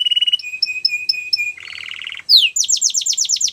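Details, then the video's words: Russian canary flute singing: a level rolling trill, spaced whistled notes, a lower buzzy rattle, one loud falling slur, then a quick series of repeated descending notes. "Russian Canary Flute Singing"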